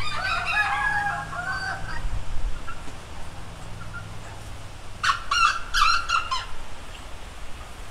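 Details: A rooster gives harsh, harmonic squawking calls in two bursts, one near the start and another after a quiet gap, each made of several rough notes over a steady low hum.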